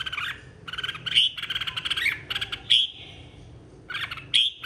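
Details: Red-whiskered bulbul singing in a 2023 contest: bright, warbled phrases with clear whistled accents, given in short bursts separated by brief pauses, with a steady low background hum.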